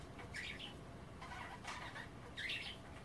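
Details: Pet budgies nibbling wet kale during a bath session: three short warbling chirp bursts over a low rumbling, noisy background.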